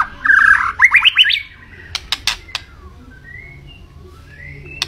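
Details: Lively white-rumped shama: a fast run of rising whistled notes, a few harsh rasping bursts, then soft, drawn-out whistles that slide up in pitch against a quiet background.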